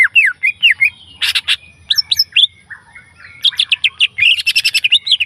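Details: Wild leafbird delivering a lively, varied song: quick looping whistled slurs, stuttering buzzy bursts, and high sweeping notes run almost without pause. The phrases end in a fast chattering string, with a soft low background hum.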